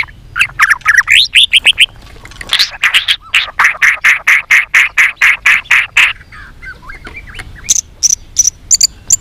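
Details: White-rumped shama giving a fighting song while flicking its tail, singing in many voices: slurred whistles rising and falling at the start, then a long burst of rapid, evenly repeated harsh notes, ending with high thin chips.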